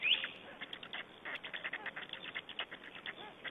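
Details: Estonian black storks during a feeding on 20 May 2012, giving rough, scratchy bursts repeated in quick succession, with one brief higher squeak at the start.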